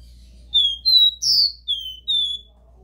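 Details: Caboclinho, the Copper seedeater, singing the pure 'Dó Ré Mi' style for stimulating a captive bird: two clear whistles, a buzzy rasping note, then two more falling whistles, with a steady low hum behind.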